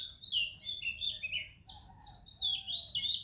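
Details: Oriental magpie-robin singing in the morning in India among other birds: rich, varied whistled phrases, some rising and some falling, delivered in quick succession with short tumbling notes between them.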